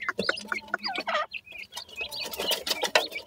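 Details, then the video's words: Young dakhni teetar francolins playing, uttering clear high chirps and downslurred peeps in rapid clusters, with some clicks and rustle between. "titar cheks ke voice"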